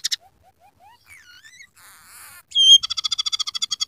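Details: Scaly-breasted munia (emprit peking) in lively song filled with coarse canary-style phrases: short rising whistles and buzzy notes, then a loud pure whistle and a fast, even series of sharp chip notes.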